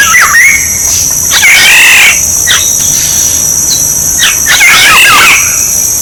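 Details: Black-naped oriole sound for luring birds: several coarse, wavering squalls broken by short looping whistles, with a loud continuous high-pitched insect hum throughout.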